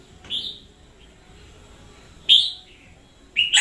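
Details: Red-whiskered bulbul in 2021, an energetic decoy bird, giving a softer whistled note, then after a pause a loud, slurred phrase trailing downward, and a fresh phrase starting at the end.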